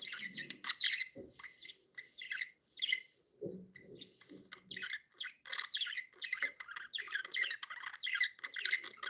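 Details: Happy budgerigars chirping: busy, irregular warbling chatter of short high chirps and squeaky notes, with brief pauses and a few lower scratchy sounds in between.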